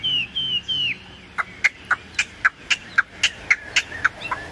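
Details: Caged Chinese hwamei, no female present, opening with three drawn whistles, then a steady series of sharp, loud chip notes about every quarter second.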